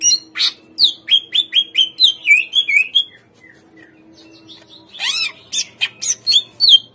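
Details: Lure song of a greater green leafbird, meant to make raw captive birds answer and sing: rapid, rich whistled phrases tumbling downward, a brief pause, then harsh sweeping notes and more quick whistles.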